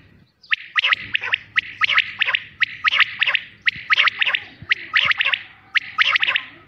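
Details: Quail uttering a fast series of clipped, bright note groups, two or three notes each, following one another roughly every half second with little pause.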